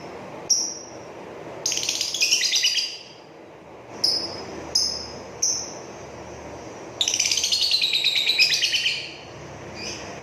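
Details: Ink-blue colour lovebird giving its ngrekek song: harsh, chattering bursts of rapid grating notes alternating with short high squeaks and pauses.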